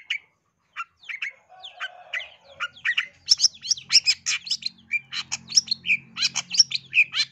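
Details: East Javan long-tailed shrike lure song for provoking aggressive singing: spaced whistled notes that build into a fast, dense jumble of harsh chirps and trills, over a faint low hum.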